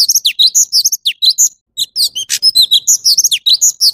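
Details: Varied chattering whistles from an orange-bellied leafbird, high and fast, mixing downward slurs, upswept notes and one harsh buzz, with a brief gap midway.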